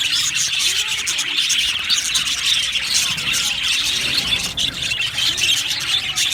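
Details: Budgerigars in an aviary colony, many birds chattering at once: a steady blur of bright, high twittering and short squeaks that never lets up, over a soft low hum.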